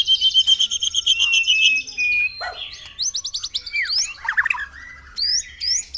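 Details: White-rumped shama song meant to coax caged birds into song at morning dewing: a bright pulsed trill, then steep rising whistled sweeps and twisting high phrases separated by brief gaps.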